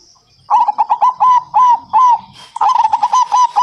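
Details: Zebra dove song meant to set other local doves singing: two fast runs of clipped, slightly rising cooing notes, the second louder and more crowded, over a thin high background tone.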